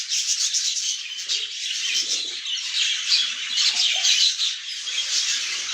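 English budgerigars chatter nonstop in a dense, high, scratchy mix of warbles, squawks and chirps from many birds at once.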